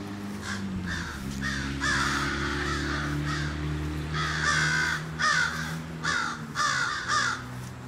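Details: Mourning crows give loud, rasping caws in irregular clusters, some doubled, while a continuous low droning hum runs beneath.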